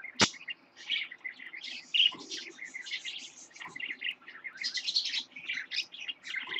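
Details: Lutino parakeet chick born in October 2015, caged pet: lively high chattering of quick chirps, squeaks and short warbled notes running almost continuously, with a sharp click near the start.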